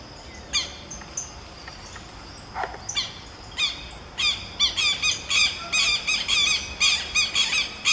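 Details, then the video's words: Southern lapwing pair in duet: after scattered sharp calls, from about four seconds a dense run of harsh, strident, harmonic-rich notes repeated in quick succession, overlapping voices, in an open rural setting. "CANTO EM DUETO DO QUERO QUERO Vanellus chilensis, Southern Lapwing"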